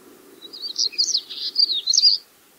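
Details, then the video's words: Common stonechat recorded at Koturspey; a high, scratchy, jumbled run of rapid twittering notes lasting about two seconds, with low background rumble beneath. "Черноголовый чекан, голос"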